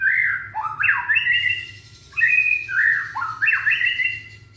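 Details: Young white-rumped shama from Indonesia, song used to get other shamas singing: fluid whistled phrases falling then rising in steps, repeated three times with short breaks.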